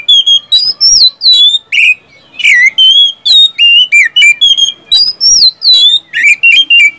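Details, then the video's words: Oriental magpie-robin in loud gacor song with siulan whistles and tembakan runs, intended to get silent caged birds singing; continuous varied whistles, slides and harsh chips with one short pause. "SIULAN dan TEMBAKAN kacer satu ini,DIJAMIN ampuh buat pancingan kacer macet malas bunyi jadi gacor"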